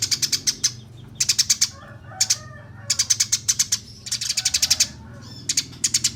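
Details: Eurasian tree sparrow contest master song, described as rolling, shooting and tight-paced nyerecet chatter: clusters of four to eight rapid, piercing chirps with brief silences between, plus a few softer lower notes and faint background hum.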